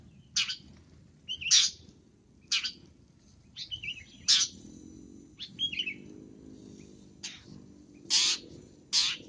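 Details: Long-tailed shrike calls used for luring birds: harsh, broadband rasping notes repeated about once a second, with a few softer twittering phrases between them over a low background hum.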